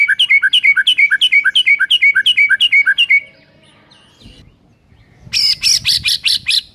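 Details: White-rumped shama song used as master training for silent shamas: a fast string of about sixteen identical two-note whistled phrases over three seconds, a quiet gap, then a loud burst of harsh repeated notes.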